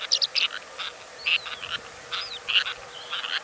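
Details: Harsh chattering calls from one or two Sociable Lapwings in Kazakhstan, 2013: a quick cluster of scratchy notes at first, then scattered rasps mixed with short upslurred whistles.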